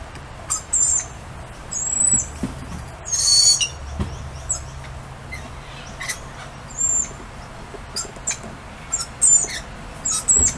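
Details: Outdoor lorikeets greeting their owner, repeatedly giving short, shrill, squeaky cries and one loud rasping screech near three seconds, spaced irregularly across the stretch.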